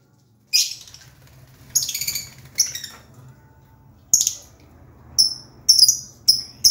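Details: A lovebird gives sparse sharp squawks and short high squeaky chirps separated by pauses of about a second, over a quiet background.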